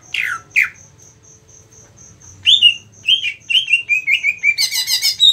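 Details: Cucak ijo (greater green leafbird) prepared for singing contests: two downward chirps, a pause over steady ticking, then a rising run of warbled notes ending in rapid high trills.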